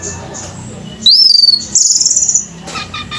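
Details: Orange-headed thrush, male, at a singing competition: a long rising whistle followed by a dense, high buzzy trill, then soft rapid chips, over quiet background noise.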